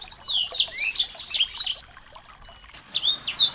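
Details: Small birds used as a lure to set a white-rumped shama singing: busy bright twittering and rising whistled notes, a near-silent gap of about a second, then more high chirps resume.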